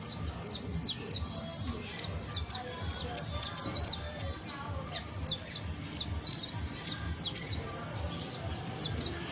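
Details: Continuous saffron finch song: dense streams of high, clipped down-slurred chirps repeated rapidly for several seconds, over a low background murmur.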